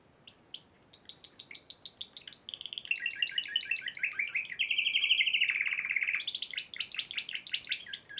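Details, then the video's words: Spanish Timbrado canary, a champion at the Piala Raja contest in March 2014, sings a rapid, varied song: a thin high trill, then rolling, rattling notes and a loud, buzzy middle phrase, ending in clipped high repeated notes. "Kenari Spanish Timbrado Juara Piala Raja Maret 2014"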